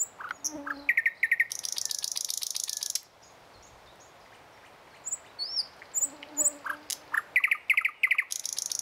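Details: Morning song of a thrush nightingale: hard, dry rattling bursts alternate with rapid clicking notes and short whistles, a brief pause, then a high soft whistle and more fast chattering rattles.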